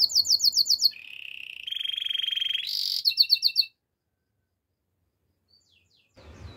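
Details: Spanish Timbrado canary singing a training song: fast metallic trills and rolls, a low buzzy rattle then a brighter bell-like roll, followed by rapid repeated chips, ending in quiet near-silence.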